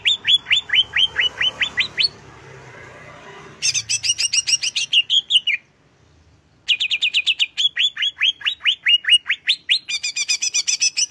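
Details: Greater green leafbird song: a string of sharp rising whistled notes, then a brief hissy pause, a burst of buzzy rapid notes, near silence, and more whistles mixed with fast buzzy chatter.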